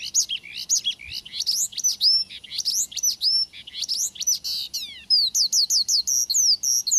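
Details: Singing male Javan bush lark, used as a prompt recording so another lark starts singing. Varied high chirps and upward-swept whistles in uneven bursts end in a quick series of identical sharp rising notes.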